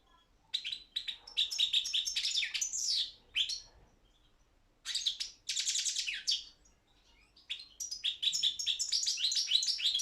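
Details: Balkan goldfinch, Carduelis carduelis balcanica, singing in an internet song championship held in Serbia: fast, dense trills and twitters delivered in bursts of one to two seconds separated by short pauses.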